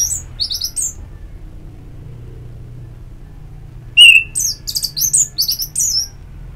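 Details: Orange-headed thrush in audio made to prompt singing: a short rapid series of very high, thin chirps, then silence, then a louder run of varied squeaky, scratchy notes and quick trills lasting two seconds.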